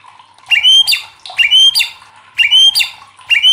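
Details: White-rumped shama giving loud, ringing rising whistles in pairs, each followed by a sharp note, repeated about once a second. The song serves as a lure to make other shamas sing.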